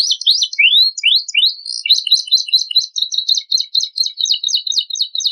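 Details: Canary song used as a master recording to provoke other birds into singing: fast high-pitched trills and rising whistled sweeps, followed by rapid repeated chattering notes, clean with no other sounds.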